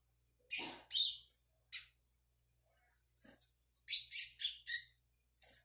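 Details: A young double-collared seedeater learning its "tui tui" song, recorded 22 May 2022: short, scratchy, high chirps in uneven bursts, a few notes together, then pauses.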